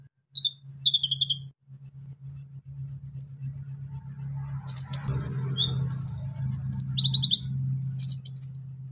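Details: Brown-throated sunbird singing a harsh, full song meant to provoke other sunbirds: sharp high chirps and short descending whistled notes in scattered bursts, denser after five seconds, over a steady low hum.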